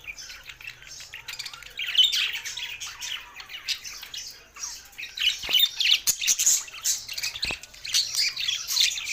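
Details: Budgerigars singing happily, a continuous busy chatter of scratchy squawks, clicks and warbled chirps, with a few sharp clicks and rising to louder bursts toward the end.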